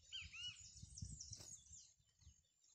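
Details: A chestnut-bellied seed-finch in a 2018 catch-and-release song championship opens with a few clear, slurred whistles, then gives way to high, busy chatter over a low background rumble.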